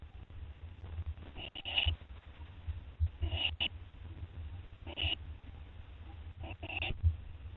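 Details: Owl in the early hours of 10 September 2011 eating a gopher, giving scattered harsh hissing bursts at irregular intervals, against a steady low droning hum.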